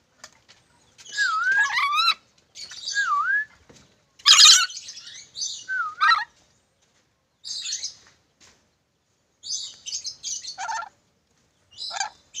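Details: Ornate lorikeet of Sulawesi calling in irregular bursts: swooping whistled notes mixed with rasping squawks, one louder harsh burst near the middle, then softer short chatters separated by silences.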